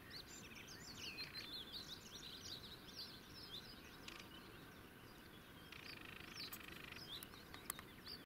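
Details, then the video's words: A sedge warbler at the Tongplaat, Utrecht, alarm-calling because the observer came too close: a quick, scratchy stream of high, dry chirps and ticks, almost two a second, over a low wind rumble. "Alarmerende rietzanger"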